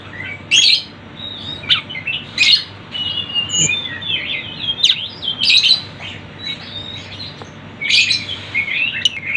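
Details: Sunda bush warbler singing amid busy bird sounds used to lure birds: loud bursts of high sharp notes about every second, linked by thin whistled trills and chirps.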